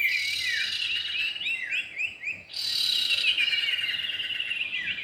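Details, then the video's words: Lure audio of male and female common iora: a run of quick rising chirps repeated about four per second, then a dense burst of high twittering and buzzing trills after a brief lull. "pikat burung cipow jantan dan betina"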